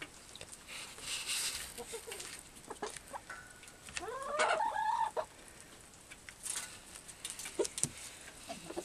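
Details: Aviary chickens, filmed on a Canon Powershot SX200 IS, give irregular clucks and, around the middle, a clear drawn-out harmonic call that bends upward and falls, followed by further clucking amid background noise.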